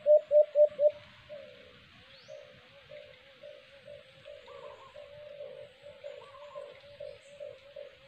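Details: During a cage-trap hunt for white-eared brown dove (alimokon), four loud, low coos open, followed by a long, softer string of wavering hoots, with faint higher chirps from other birds.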